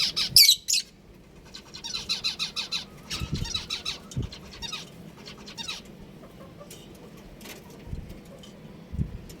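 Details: Colony of budgerigars chirping: a loud squeaky burst at the start, then a quick run of rapid twittering notes, followed by sparser chirps over faint low background noise.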